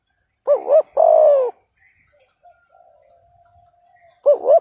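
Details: Decoy spotted dove calling to provoke a rival bird: a short wavering double coo joined to a longer, falling, mellow coo, with the next phrase starting after about three quiet seconds.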